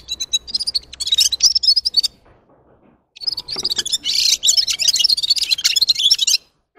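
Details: Red-fronted serin, or gulsir, sings two long runs of bright, fast, high twittering. A second of silence separates the phrases, and the second run is longer and denser.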